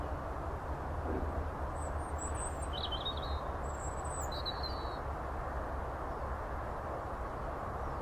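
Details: European robin singing in the morning on 17 February 2015 at Tir Founder Fields, Cwmbach, Aberdare: thin, high twittering phrases at spaced intervals over a steady low rumble of background noise.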